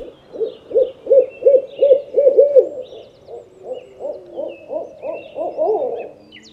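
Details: Owl giving a run of short, low hollow hoots, about three per second, steady and loud at first, then softer and slightly higher toward the end, with faint high bird chirps behind.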